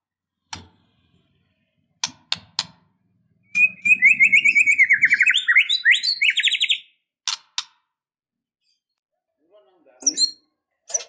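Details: Fighting-style white-rumped shama song, rich in filler phrases, intended to make a dull bird suddenly emotional and combative: scattered sharp clicks, then a loud three-second stream of rising and falling whistles, more clicks and a high chirp burst.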